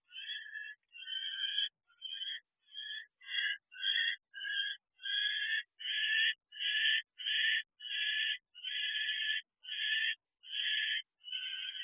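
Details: Owl at a nest box at 6:12 pm on 9 January 2024, returning with food; a steady run of rasping, buzzy bursts of about half a second each, repeated more than a dozen times at a quick, fairly even pace.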